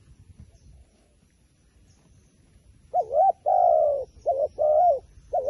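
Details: A wild pigeon that is said to fear the phone camera. After about three seconds of quiet it starts calling in pairs. Each pair is a short bent coo followed by a longer level coo, repeated about twice.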